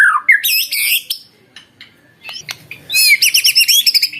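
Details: White-rumped shama song used as a lure to provoke other shamas into answering: loud varied phrases of rich whistles, rapid high trills and buzzy notes, broken by a near-silent gap, then a run of repeated sharp chirps.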